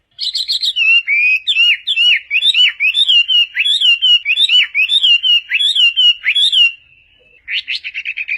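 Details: Chinese hwamei song used to tutor other songbirds: a long run of fast, regular whistled notes with rising and falling slurs, a brief pause, then a burst of quick high notes.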